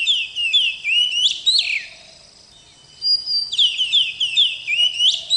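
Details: Oriental magpie-robin, a young bird in training, delivering fast, rich whistled phrases of looping rising and falling notes in two bursts separated by a short quiet gap.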